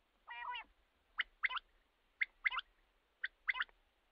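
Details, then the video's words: Male common quail calling after a brief low, buzzy harmonic note. Three sharp double-to-triple note phrases follow at roughly one-second intervals over quiet background hiss. "common quail calling"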